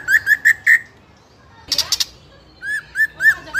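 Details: Juvenile spotted White-rumped shama, fighter type, singing as a lure for other young shamas: four clear whistled notes repeated quickly, a short buzzy burst, then more arched whistles.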